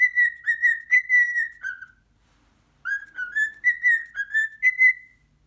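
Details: Pet cockatiel indoors, meeting a muscat grape for the first time and scared of it, gives two bursts of clear, slightly wavering whistled notes, about six in each, split by a second of silence.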